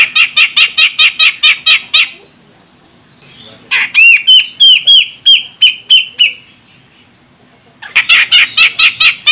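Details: Grey-cheeked bulbul female, Medan, Sumatra, calling so the male starts singing: a fast run of harsh chatter notes, then a string of ringing upslurred whistled notes, then the chatter again.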